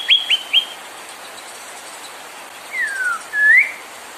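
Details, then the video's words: ['White-rumped shama provocation song: three quick sharp high notes, a pause, then a long descending whistle and a clear rising whistle.'] "PANCINGAN MURAI BIKIN CEPAT EMOSI | SHAMA BIRD"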